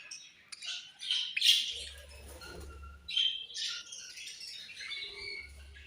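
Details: Budgerigars, Australian budgie parrots kept as pets, chirping: bursts of bright, scratchy warbling and short high chirps, louder around the first and third seconds, with a low steady hum beneath.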